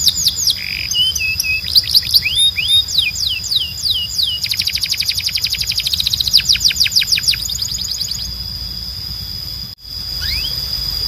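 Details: Timbrado canary in full song, intended as training audio for canaries. A buzzy note and looping downslurs lead into a long, fast rolling trill with sweeping notes over it. A pause follows, then a single swoop.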